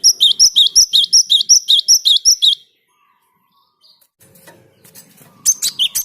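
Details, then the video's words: Java sparrow song, sung to prompt other birds to sing: a fast run of about thirteen high, clipped, bell-like chirps over two and a half seconds, then a pause and scattered softer chirps before a fresh burst. "Gelatik gacor perangsang burung lain ikut gacor"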